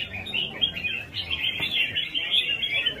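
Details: Short burst of red-whiskered bulbul competition song, fast chattering warbles running together, with a brief click and low background noise.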